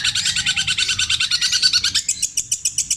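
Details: Long-tailed shrike kept by Indonesian songbird fans, singing imitations of tengkek buto, kuntilanak and sparrow (greja). It gives a fast, steady series of sharp chattering notes, about two to three per second in places, then clearer separate chips.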